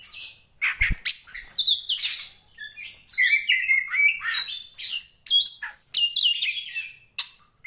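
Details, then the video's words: A poci Tretes Oriental magpie-robin, described as a fighter in full song, delivers a dense, continuous stream of varied chirps, slurred whistles and harsh scratchy notes in quick succession. The recording is meant for training other birds. "SUARANYA BIKIN POCI KACER MANAPUN EMOSI Kacer teapot bird(Copsychus saularis)"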